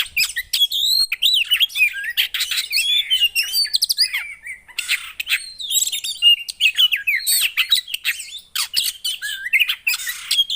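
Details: Caged Javan white-eye song played to prompt a silent bird into singing: dense, rapid stream of high warbled twitters and slurred whistles, continuous and varied, with no other sounds.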